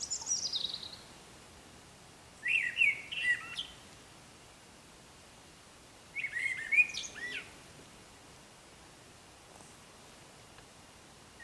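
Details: Eurasian blackbird in morning darkness sings two separate warbled phrases, each ending in a squeaky twitter, with long silent gaps between; a European robin's high, thin phrase opens the recording.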